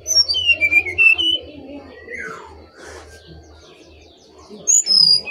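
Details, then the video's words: Brown-chested jungle flycatcher, from Bali, singing actively: a run of clear whistled notes stepping down from high to mid pitch, a long falling slurred whistle, then bright high whistles near the end, over a low steady hum. "SRDC (sikatan Rimba Dada Coklat ) Bali Gacor"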